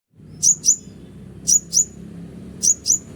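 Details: Scarlet-headed Flowerpecker (konin) call, a genuine recording used to lure wild konin: very high, sharp, thin notes given in quick pairs, three pairs about a second apart over a low background hum.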